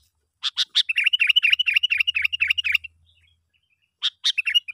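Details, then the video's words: Sooty-headed bulbul lure call used for trapping, meant to draw other bulbuls in: a few sharp opening notes, then a fast run of chattering notes, about eight per second, a pause, and the pattern restarting. "panggilan yg sangat Ampuh ‼️ bikin bl berdatangan"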